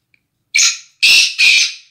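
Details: Black francolin from a breeding pair: three harsh, rasping, noisy notes, a short one followed by two longer grating bursts in quick succession, with no other sounds.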